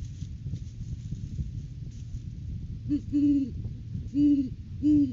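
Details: Great horned owl at its nest tree during courting season, recorded by a live camera on 9 January 2023: three deep, soft hoots in quick succession near the end, over a steady low rumble of background noise.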